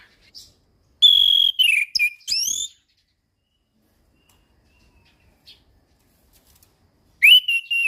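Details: Orange-headed thrush (anis kembang, pastol type) in a settled song, kept for training young birds: two bursts of loud, clear whistled phrases with rising sweeps and quick slurred notes, separated by several seconds of near silence.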